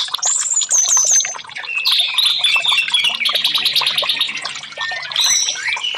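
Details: Therapy song of the orange-headed thrush for silent birds: a few high piping whistles, then a fast, dense warbled chatter, ending in sweeping whistled phrases.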